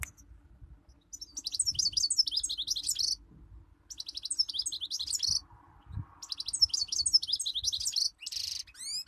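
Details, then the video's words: European goldfinch singing in three bursts of rapid, liquid twittering with high tinkling notes, separated by short pauses; a faint low hum runs underneath. "أحلى صوت مقنين"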